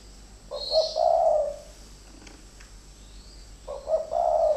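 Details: Caged spotted doves used as decoys, two birds fighting. Two stuttering, husky coo phrases come about three seconds apart, each opening with quick short notes. A quiet pause falls between them, with a faint high chirp.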